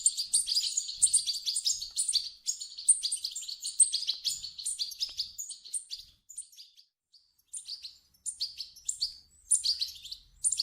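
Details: Goldfinch chicks' begging calls, aimed at triggering song in an adult European goldfinch: loud, dense high twittering for about six seconds, then scattered, sparser chirps separated by short silences.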